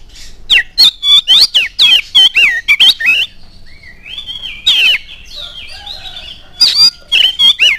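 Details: Oriental magpie-robin lure song to set other magpie-robins singing: a fast volley of loud, sharp whistled notes over three seconds, a softer warbled interlude, then renewed loud bursts near the end.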